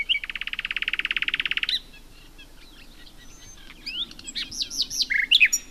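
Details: Common nightingale delivering a dense, rattling trill for nearly two seconds, followed by a pause and then a string of looping, rising and falling whistled notes.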